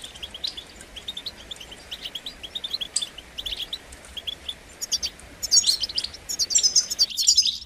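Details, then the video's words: European goldfinch singing a rapid run of short high twittering notes, mostly chirps and quick trills, growing denser and louder toward the end, with a faint low background hum. "Highlighting motivating songs for creative goldfinches in simple ways"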